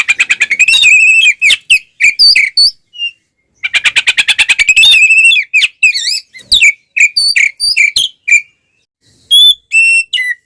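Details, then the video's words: Fighting oriental magpie-robin, tail spread, singing continuously to excite rival magpie-robins; two rapid machine-gun bursts of repeated notes, each leading into wavering whistles, separated by pauses, ending with clear single whistles. "SUARA BURUNG kacer gacor NGEPLONG TARUNG BUKA EKOR ini paling AMPUH buat PANCINGAN KACER agar EMOSI"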